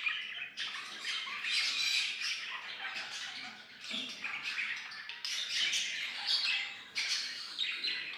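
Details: Several pet budgerigars chatter while singing, playing and talking: steady grating, buzzy warble with scratchy squawks and brief sharp chirps in overlapping bursts, louder surges around five and seven seconds.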